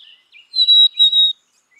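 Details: One whistled song phrase from a black-capped chickadee: two sweet, steady notes, the first slightly higher, the second dipping briefly midway, with a short soft chip just before.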